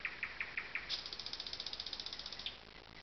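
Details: Thrush nightingale singing by a lake among alders at Zawady Oleckie: a few spaced loud notes, then a fast dry rattling series of clicks, over a steady hiss of background noise.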